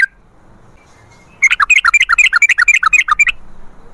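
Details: Sooty-headed bulbul singing a rapid 'ropel' roll to draw other bulbuls into song: a two-second burst of quick, gurgling, up-and-down whistled notes after near silence.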